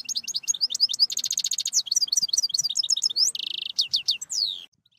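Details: Lively European goldfinch song with rapid chips, a rattling buzzy trill, quick slurred twitters and a second nasal buzz, ending in a few downslurred whistles.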